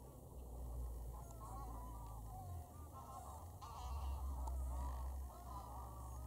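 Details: Geese taking off and landing at Burwell Fen near Wicken Fen on an evening of 23 September 2016; repeated clustered honks over heavy low-frequency rumble.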